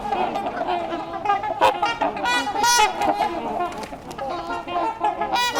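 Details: A noisy wintering flock of trumpeter swans, many tagged from Ontario's reintroduction programme and curious about the recordist, at LaSalle Park, Burlington, Ontario, in March 2021: a steady chorus of overlapping brassy horn-like honks, with a faint person's voice underneath.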